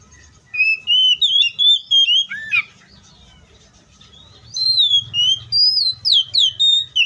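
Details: Wild Oriental magpie-robin delivering a string of rising and falling whistled notes with a harsher buzzy note near the middle, then a pause with faint rumble, before more sweet, sharply inflected whistles.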